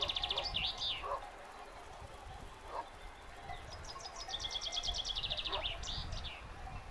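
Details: Common chaffinch singing in a meadow at Fuente Dé, Picos de Europa: the end of one phrase opens, then a full song of rapid repeated high notes that accelerate and drop into a terminal flourish, over faint chime-like tones and outdoor background.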